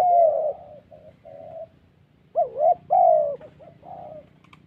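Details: Spotted dove in the Central Highlands of Vietnam, a thổ bout during decoy trapping; a loud coo and two softer ones, a pause, then a burst of arching, inflected coos, with low hum underneath.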